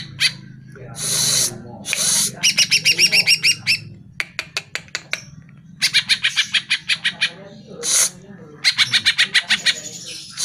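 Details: Greater green leafbird vocalizations used to make caged birds reply. Harsh, rasping notes repeat in fast regular pulses, grouped into several bursts with short breaks, over a low background hum.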